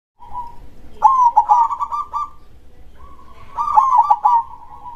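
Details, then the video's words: Local zebra dove (perkutut) singing actively in the loud 'dor krosing' style with a big voice: two long phrases of soft cooing trills near one pitch, each ending in rapid bubbling notes, separated by a brief pause. "suara perkutut gacor dor krosing suara besar"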